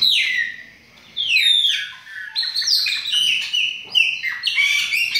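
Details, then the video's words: Chopi blackbird song from several birds: loud, sweeping whistles that fall in pitch. After a short lull the song builds into a dense, chattering run of notes. "BARULHO DOS PÁSSARO PRETOS"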